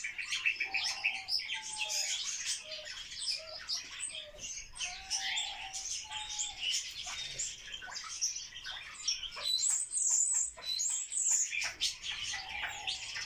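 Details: Barred warbler during its mating dance: a dense, scratchy chattering warble, high and continuous, with short low whistled notes threaded through it and occasional wing-flutter sounds.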